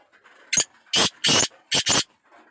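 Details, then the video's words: Black francolin, locally called kala teetar, giving a harsh, grating call: one short rasping note, then two longer scratchy notes and a quick closing pair, five broadband bursts in all with faint background noise between. "Pure laka kala teetar ki awaz"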